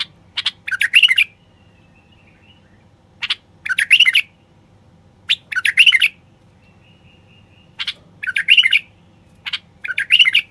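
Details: <caption 7>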